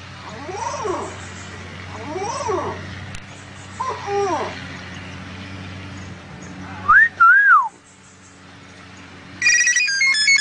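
A myna mimics phone sounds: three arching, nasal warbles, then a pair of clear rising whistles, and finally a bright electronic ringtone-like trill. A low steady hum runs underneath.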